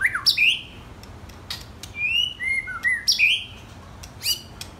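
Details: White-rumped shamas aged 10 and 12 months, held as pets, singing clear whistled phrases of rising and falling notes mixed with sharp chirps, in bursts about a second apart, indoors.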